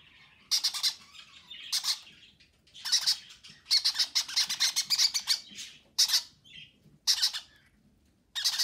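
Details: Parent conures feeding their babies, February 6: the chicks produce harsh, rasping squawk bursts, some single, some in rapid pulsing runs, with quiet pauses between.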